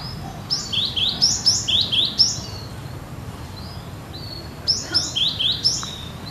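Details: Cinereous tit in full song, said to sound as in the wild: two bursts of loud high whistled notes, each dropping in pitch, repeated about twice per second, separated by a short pause with a single thin whistle.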